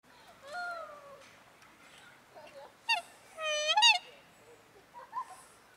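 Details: Pair of black swans at Fagaras fortress giving loud, harmonic bugling calls, some falling and some rising and wavering, in two bursts with quiet gaps between.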